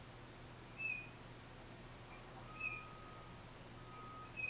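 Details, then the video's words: Solo tufted titmouse singing, recorded with a Nikon D3500 and Tamron 500mm lens: paired notes, a piercing high note dropping to a lower short whistle, repeated four times in quick succession, with a soft constant hum behind. "1 Tufted Titmouse Solo"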